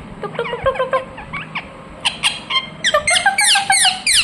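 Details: Ringneck parrot in captivity uttering short stuttering notes and scattered squeaks that build into a rapid, shrill chatter of falling screeches.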